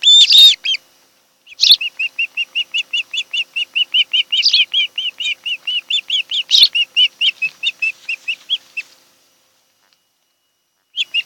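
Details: Osprey couple on their nest on Kent Island, Maryland, July afternoon: a sharp opening cry, then a steady series of about thirty quick whistled piping notes, evenly spaced, slowing near the end before silence.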